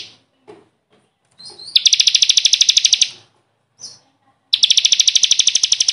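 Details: Bar-winged prinia singing for a tutor recording made to train caged birds: after a few short high notes, two long, fast, dry trills of evenly repeated high notes, separated by a brief pause.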